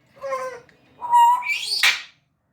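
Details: African grey parrot talking in Urdu and Hindi: a nasal, speech-like phrase, then a steady whistled tone rising into a sharp, harsh upward sweep, all within two seconds.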